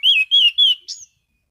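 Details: Orange-sided thrush in relaxed ngeplong song, clear and steady: three full whistled notes, each gently rising then falling, followed by a thinner higher note, all delivered within one second.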